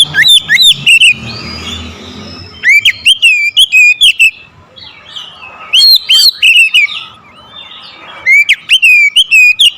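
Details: Hard-driving oriental magpie-robin song meant to rile a rival: three energetic bursts of loud, varied, sliding whistles and sharp chips, each lasting about two seconds, with quieter gaps between.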